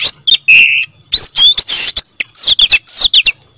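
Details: Oriental magpie-robin singing vigorously in gacor style, mixing a low buzzy note, sharp rising whistles and rapid harsh bursts, ending with a short quiet gap.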